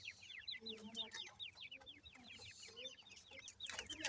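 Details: Feeding Iranian partridge chicks, brown young of the irani teetar, give rapid overlapping high peeps, each sliding downward, with occasional soft low clucks from the adult and a quiet hiss behind.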